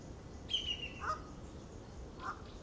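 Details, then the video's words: Southern banded snake eagle, restricted to north-eastern coastal forests of South Africa, gives a high, thin downward-sliding note, then two short, lower clipped calls about a second apart, over steady background hiss. "The unique call of the Southern-banded snake-eagle"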